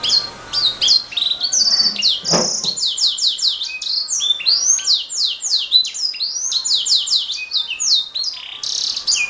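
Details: Canary in full continuous song, used as training material for songbirds: high downward-sweeping notes repeated in quick series, a short buzzy trill, and a dull knock early on.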